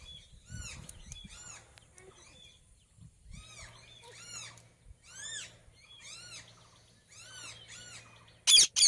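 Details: A parrot, tagged as an Indian ringneck talking parrot, gives quick bursts of arched, squeaky chirps in clusters every second or so, ending in a loud harsh screech, over a low hum.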